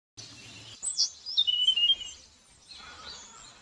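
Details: Wild bird singing outdoors in spring in a relaxing nature setting: a short burst of high whistled and twittering notes lasting about a second, with quieter chirps afterward over faint background hiss.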